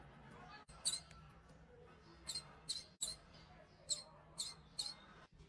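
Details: A small pet parrot gives brief, high, squeaky chirps in small irregular bursts.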